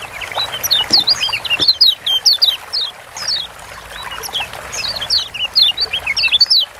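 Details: Several kecial kuning, Lombok white-eyes, in lively gacor song meant to make lazy birds sing: bright high chirps and twisting whistles in repeated short bursts over light background rustle.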